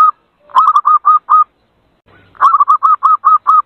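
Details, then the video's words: Zebra dove lure recording meant to draw other birds to respond: two bouts of rapid, mellow repeated coo notes, about six to eight per bout, each note slightly hooked, separated by a short quiet gap. "suara pikat burung perkutut langsung nyaut"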